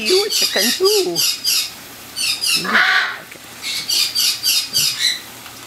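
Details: Ten cockatiels bathing in the sun give quick, repeated bright chirps and a few lower, wavering squawky notes.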